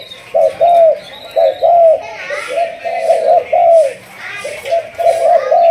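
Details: Decoy-training spotted dove, Malaysian stock of the 'thúc gù' cooing style: clipped double coos followed by longer descending ones, repeated in quick bursts, while faint chirps and distant voices sound in the background.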